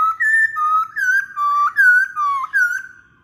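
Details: Masked laughingthrush song for luring others of the species into song: smooth, rich whistled phrases alternating between two pitches, wavering and slurred, delivered in a steady flowing sequence with harmonics, in a quiet setting.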